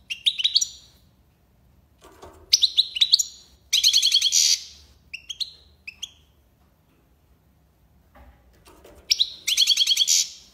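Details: European goldfinch singing in the tiwawati style, Algiers, Algeria: bursts of rapid high, tinkling, buzzy trills and short chirps in separate phrases, with soft low clatter in the gaps.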